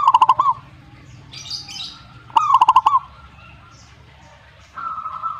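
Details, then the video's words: Zebra dove answering in song: two short phrases of soft, rapid, bubbling coos on one low pitch, each opening with a brief lead-in note, about two seconds apart, with faint chirps of other birds in between. "perkutut jika nyaut"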